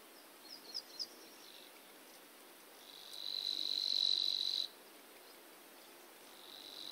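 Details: Savi's warbler (Locustella luscinioides) at Stupava, Malacky, Slovakia: a few soft ticking notes lead into a fast, even, high, insect-like buzzing reel, sustained for over a second before starting again.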